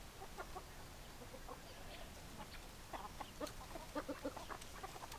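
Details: Hens clucking softly: short, low harmonic clucks scattered irregularly, with a quick run of three clucks near the end, over a faint hissing background.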